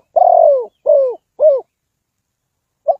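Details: Spotted dove used to lure birds into a trap, delivering a long falling coo followed by two shorter hollow notes, then a single faint note after a pause.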